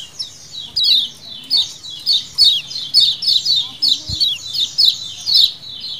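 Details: Lemon-bellied white-eye 'ciakan' colony chorus for luring: brisk, regular bursts of high, descending chirps, nearly two per second, layered from many birds, with a faint low knock near the end.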